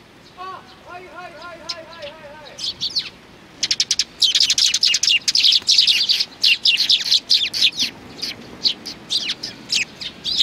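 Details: Group of sparrows on 29 May 2019; a wavering harmonic tone opens, then dense rapid chirping builds into an excited chorus of overlapping short chirps.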